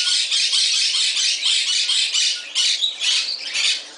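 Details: Moluccan cockatoo, a male kept as a pet in an all-bird shop in Summerville, South Carolina, indoors, giving harsh, raspy screeches in quick pulsing succession, about two per second, loud and broadband throughout, in a small room.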